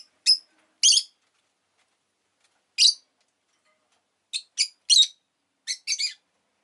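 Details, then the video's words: Clear, clean chirps of a rosy-faced lovebird: crisp high single notes with pauses between, then quick pairs and triplets of squeaky calls against near silence. "Lovebird Chirping Sounds"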